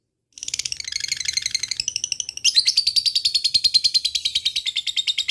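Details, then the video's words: Lovebird ngekek song meant to call rival birds: long, rapid, high chattering trill, pulses racing several per second, with a brief pause and a shift to a steadier, higher rattle. "suara burung lovebird ngetik ngekek"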